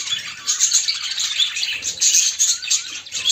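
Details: Budgerigar hen courting a male in captivity; busy high-pitched twittering with sharp squeaky chirps layered over a continuous chattering warble.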